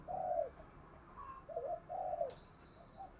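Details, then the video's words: Spotted dove used as a decoy, cooing to provoke wild doves, in the 'giọng thổ' voice style: soft low coo phrases with gaps between them; a thin high whistle from another bird comes late. "chim cu gáy mồi thúc gù bài bản kích bổi nghe là gáy liền, chim cu gáy giọng thổ bài bản gù thúc"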